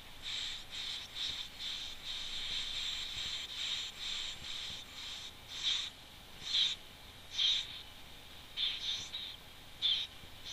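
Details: Wood warbler at the nest, filmed by a webcam on 11 June 2011; hissy, high squeaky bursts come in an uneven series, roughly one a second, some louder than others, over a steady background hiss.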